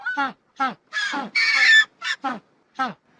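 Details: Penguin calls in a colony, a run of short harsh braying honks with falling harmonic notes, one longer noisy blast in the middle, closely spaced over three seconds.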